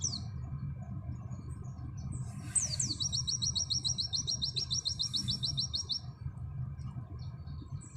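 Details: Oriental white-eye, called pleci, shooting its nembak song: two sharp descending whistles, then a fast, regular, high-pitched series of short repeated notes lasting about three seconds, with faint hum below.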